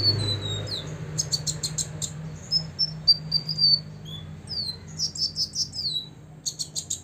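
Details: Six-year-old olive-backed sunbird singing to provoke rivals: thin high whistled notes sliding downward, mixed with bursts of sharp rapid chirps, over a steady low hum.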